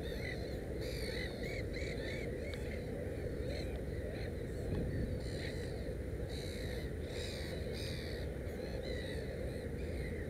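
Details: Nesting Black-headed gull with three chicks calls in irregular harsh squawks, some short and clipped, others longer and scratchy, over persistent low-pitched background noise.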